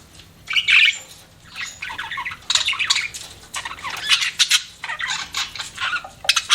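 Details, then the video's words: Pet budgies chattering and chirping almost without pause, a busy mix of scratchy warbles, clicks and short squawks in repeated bursts, with a few sharper high notes standing out. "BUDGIES CHIRPING SOUND"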